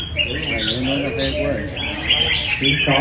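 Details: Red-whiskered Bulbul, a caged competition bird noted for singing tirelessly, gives short, lively chirping and warbling notes in rapid bursts, with human speech and low background noise underneath.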